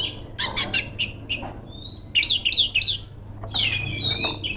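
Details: Female magpie-robin calling rivals: sharp clicking notes, then a rising whistle that breaks into three quick zigzag whistled notes, ending in a burst of varied whistling.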